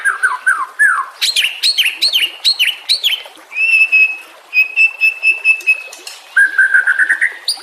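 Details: Master song of a White-rumped shama for teaching other songbirds: falling whistled notes, a burst of sharp downslurred calls, then long flat sustained whistles and a final rapid rising trill.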